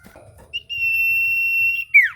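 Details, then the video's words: Chatty common iora used as a lure to prompt a silent iora to answer: a single long, steady high whistle held for over a second, ending in a quick downward slurred note. "Burung sirtu cipoh gacor pancingan ampuh bikin cipoh macet bunyi langsung nyaut"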